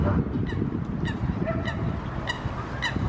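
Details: Eurasian coots in Helsinki, Finland, in June 2016, two of three birds in a territorial dispute on the water; short abrupt honking calls repeat roughly every half second over a heavy low rumble of water and wind.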